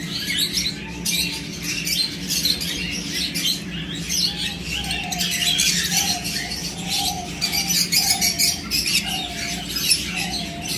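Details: A bonded pair of kakariki (New Zealand parakeets) chatter with dense, scratchy high twitters and short nasal notes repeated about once a second, over a steady low hum.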